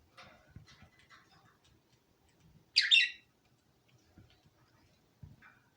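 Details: A cockatiel in a living room gives one loud, harsh screeching call amid soft chatter from other birds kept in cages.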